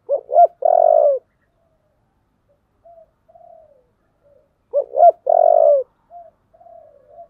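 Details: Spotted dove calling to challenge a rival, 'giọng thổ' voice style: a loud phrase of clipped hoots and a rolling purred coo, followed by quieter trailing coos, the whole phrase repeated after about four seconds.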